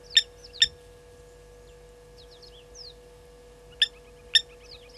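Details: Blacksmith lapwings at Gowrie dam waterhole, Djuma Game Reserve, Sabi Sand, South Africa, 10:50 on 30 July 2020, upset by a slender mongoose, give sharp metallic 'tink' alarm notes in two pairs over soft small-bird chirps and a low hum.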